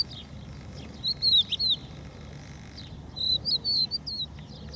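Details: Crested lark singing on a specially protected beach refuge at Empuriabrava: two short phrases of clear, fluty, slurred whistles, each under a second and a half, over a steady low rush of background noise.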